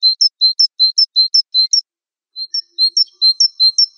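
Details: Java sparrow (wingko variety) mastering song: rhythmic paired high chips, a low note followed by a higher one, broken by a brief silence halfway, then resuming at the same pace.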